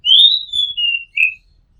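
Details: Oriental magpie-robin recorded from a home rooftop: a long, sweet whistle rising then levelling, followed by a lower steady note and a short falling whistle, three clear parts in quick sequence.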